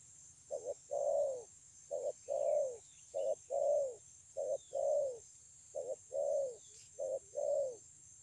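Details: Wild-caught spotted dove singing in the 'thổ âm' style at Kon Long, 9 June 2020: five low coo phrases, each a brief stuttered note followed by a drawn-out descending coo, steadily repeated. Soft high chirps in the background.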